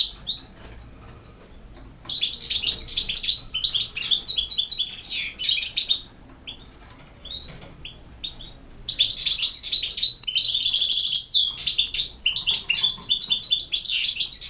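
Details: Two long bursts of campero-style song from a European goldfinch of Bosnia and Herzegovina, rapid high twittering and tinkling trills, separated by a few seconds of quiet with scattered chirps.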